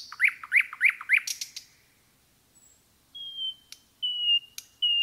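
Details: Nightingale in a forest delivering four quick repeated up-swept notes, a pause, then a series of long pure high whistles.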